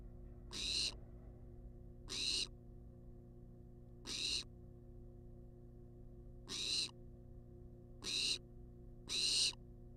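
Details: Six hoarse, noisy screeches from a wild barn owl begging for food inside a monitored nest box, spaced one to two seconds apart, each short and breathy, with low background hum.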